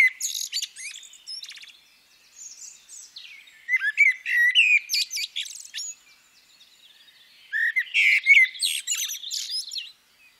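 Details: Female common blackbird giving bursts of varied whistled and chirping notes, some sliding fluted tones near the bottom of its range mixed with high scratchy twitters, in three clusters separated by short pauses.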